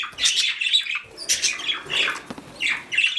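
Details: Mother budgerigar (parakeet) on the nest, kept indoors for breeding: harsh, scratchy chattering squawks in four separate bursts over about three seconds, with a sharp click between them.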